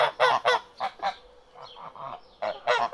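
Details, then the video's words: Duck calls heard as loud, rasping quacks at the start and end. Softer, muffled calls fill the gap between them. "صوت البط"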